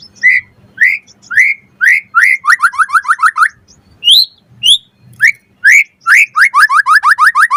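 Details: Full, varied song of a white-rumped shama: loud slurred whistles about every half second, then fast runs of clipped descending notes, with a faint low hum underneath.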